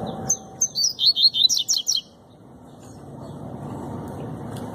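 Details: A captive Double-collared Seedeater gives a fast, short song of about eight bright, sweeping, high tumbling notes lasting about two seconds, followed only by a low traffic rumble.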